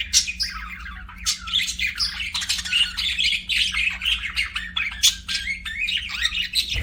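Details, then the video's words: Pet budgies in an aviary chattering nonstop, a run of scratchy warbles, clicks and squeaky whistled notes, ending with a low thump, over a faint hum. "BUDGIE CHIRPING SOUNDS"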